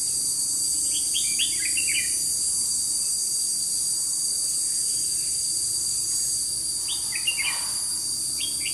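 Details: Decoy red-whiskered bulbul at a trapping site, 21 July 2016, gives short chattering warbled phrases near the start and again near the end, with a steady shrill insect chorus throughout.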